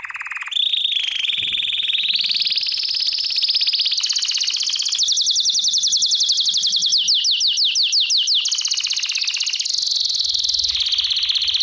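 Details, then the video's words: Belgian canary singing continuously in a training recording: long rolling trills that step upward in pitch, a stretch of rapid sweeping notes, then sustained bright rattles without pause. "CANTO CANÁRIO BELGA"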